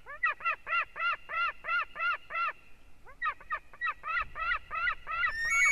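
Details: Recorded at the Durbe white-tailed eagle nest on 13 August, with the eaglet on its fourth day, live nest broadcast: a fairly soft, rapid run of short arched harmonic notes, about three each second, a brief pause, then another run.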